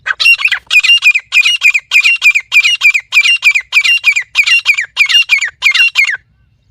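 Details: Partridge (teetar) call used to lure partridges: loud, harsh, squawking phrases repeated in rapid succession, about two per second, each phrase a burst of grating notes, continuing steadily for six seconds before stopping; quiet background.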